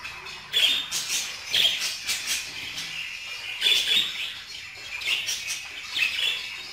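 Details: Budgerigar twittering with bright chirps and short squawks in a lively, uneven stream, sharper notes near 0.6, 1.6 and 3.7 seconds.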